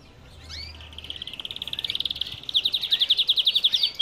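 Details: Belgian canary singing in an aviary: a few short slurred notes, then a long even rolling trill that grows louder and steadily slower, ending with a sharp high note.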